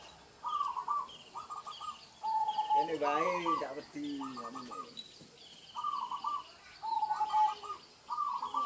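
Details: Local zebra dove singing in rural village countryside, its song used as a lure for trapping doves: short bursts of rapid, pulsed cooing notes repeated every second or two, with a louder harmonic call from another bird in the middle.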